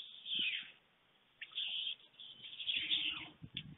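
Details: White stork (Ciconia ciconia) at a nest in Fohrde, Germany, at midday on 23 July 2019 as lunch is brought, gives harsh, hissing rasps in a few ragged bursts, with a quiet pause in between and faint low knocks underneath.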